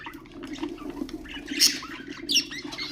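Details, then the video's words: Budgerigars kept as cage birds, sounds meant to stimulate other birds: a soft warble breaking into two loud, rasping squawks, over a steady low hum. "اقوى أصوات طيور البادجي طيور الزينة أصوات تحفيز الطيور"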